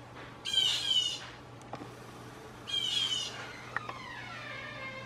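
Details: Backyard blue jay false alarm calls: two hoarse, buzzy jeer notes about two seconds apart, followed by faint clicks and a quieter thin whistle-like sound, over a steady low hum.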